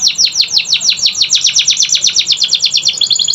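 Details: Canary song used to coax lazy canaries into singing: a steady rapid trill of high, downward-slurred chirps repeated about seven times a second, bright and continuous.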